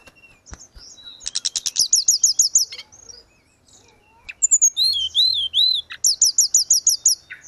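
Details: Grey-cheeked bulbul in 'gacor' song, used as tutoring audio for caged birds. Long rapid trains of bright high chirps surround a phrase of arched, slurred whistles.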